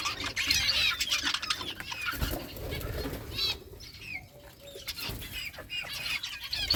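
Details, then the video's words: Budgerigars playing in summer breeding season, recorded August 23, 2023: rapid high twittering chirps mixed with wing flapping and rustling bursts, slightly distant. "budgies beautiful colors playing and chirping budgies breeding progress in summer"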